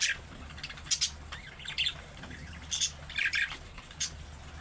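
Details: Budgerigar calling in the manner of young birds to draw replies from other budgies. Harsh, buzzy squawks and short trilled chirps come in separate bursts, with a quiet hum behind.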